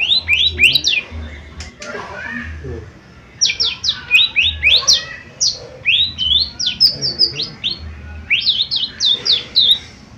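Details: Lesser green leafbird (cucak ijo mini) in chatty gacor form, used as a lure to make other birds sing and respond: rapid high whistled notes, rising and falling in quick strings, with brief pauses between bursts.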